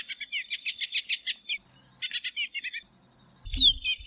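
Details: Tropeiro seedeater singing two runs of fast, buzzy repeated high chirps, with a brief low thump or handling noise near the end.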